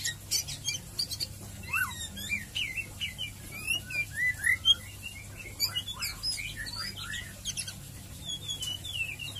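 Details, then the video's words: Lure recording of a White-rumped shama in ngeriwik ngeplong style, used to get shamas singing actively; a long, rapid run of varied whistles, twitters and sharp chips in bursts, with a quiet hum behind. "Murai Batu ngeriwik ngeplong Pancingan Cepat Murai Batu Bikin gacor ngeplong"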